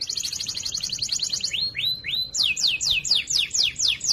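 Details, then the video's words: Canary singing a loud, clear training song meant for other canaries: a rapid high trill, three upslurred whistles, then steeply falling sweeps repeated in an even rhythm. "Masteran Burung Kenari Suara Lantang Dan Jernih"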